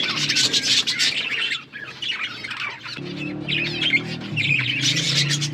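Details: Budgies in dense, overlapping chatter: scratchy squawks and rapid high chirps pour out almost without pause, briefly thinning near the middle, while a steady low droning hum joins underneath during the second half.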